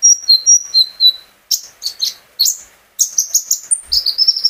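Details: Pet sunbird recorded at home as a singing lure for other birds: short high whistles, then a burst of fast sharp chirps and level piping notes, with a soft knock near the end.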